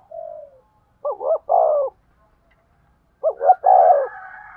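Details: Cooing spotted dove used to excite a male decoy: a soft, low lead note, then two hollow three-part coo phrases about two seconds apart, each with two quick notes and a drawn-out throaty ending, in quiet surroundings.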